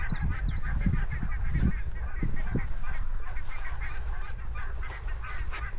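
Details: Repeated goose honks in a grassland setting, uneven bursts of nasal calls about one to two per second, set over a low breezy background with a brief thin bird whistle at the start.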